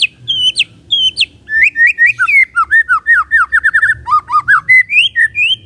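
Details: White-rumped shama kretekan to stir up other birds' emotion: varied sharp whistled notes sliding up and down, grouped in quick bursts and a fast chattering run, with steady clear phrasing and some low background noise.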